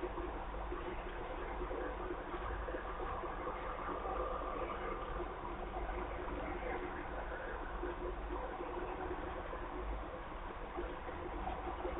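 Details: Steady broadband hum and rumble like traffic or running water, with no animal sound heard.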